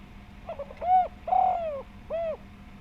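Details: Spotted dove calling in a full, round voice as a lure to provoke other doves: a few stuttering soft notes, a rising coo, a long falling drawn-out coo, then a short final coo.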